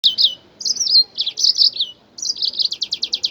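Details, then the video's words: Jasmine bird, also called kokret, singing to stimulate other birds to sing: high slurred whistles and buzzy phrases with brief pauses, ending in a fast run of repeated clipped notes. "تغريد طائر الياسمين او طائر الكوكريت لتحفيز الطيور"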